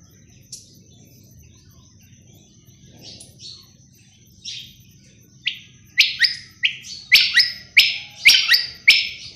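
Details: Quail call, starting with scattered faint high chirps, then building into loud, rapid, harsh notes with falling buzzy tails, repeated about twice a second toward the end.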